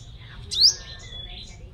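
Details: Sunbird kept as a lure bird in Long Thành, Đồng Nai, Vietnam, giving a single loud, quick upward-slurred high whistle amid faint thin notes and low hum.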